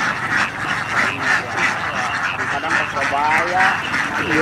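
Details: Ducklings by the thousand crossing flooded rice fields toward their coop, giving a constant mass of rapid overlapping quacks, while a man's voice talks over the chorus toward the end.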